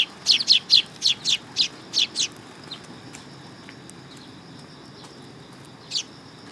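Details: Sparrows gathering on a raised platform at a Tenmangu shrine, 3 September 2022: a quick run of nine bright, sharp chirps in the first two seconds, then a few faint notes and one last loud chirp near the end.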